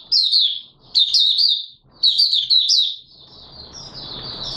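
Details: Oriental white-eye song from 24 March 2022: three lively bursts of high, sweet twittering about one second apart, then a thinner, softer trailing warble over a rising background hiss.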